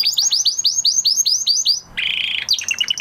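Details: Canary song after the moult: a rapid series of rising whistled notes repeated about eight times a second, then a dense buzzy trill and a stuttering high phrase.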